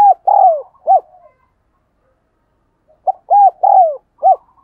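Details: Spotted dove giving rapid 'thúc gù' cooing used to train decoy doves and make wild doves call: two phrases of four mellow coos, short notes around a longer drawn-out falling coo, separated by about two seconds of silence.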